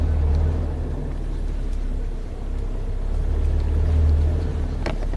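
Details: Loud low engine drone from a vehicle swells and fades, and only a single click is heard.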